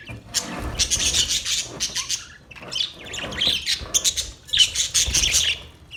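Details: Budgerigars in a parrot colony setup, many birds calling together: dense bursts of high, scratchy chirps and warbling chatter in overlapping waves, with brief quieter gaps and faint low rumbling beneath.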